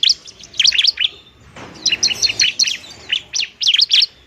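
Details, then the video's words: Bar-winged prinia singing aggressively as a lure for lazy singers: short bursts of bright, high, bouncing chirps separated by a brief pause. "ciblek TARUNG mantap buat pikat dan PANCINGAN ciblek semi malas bunyi"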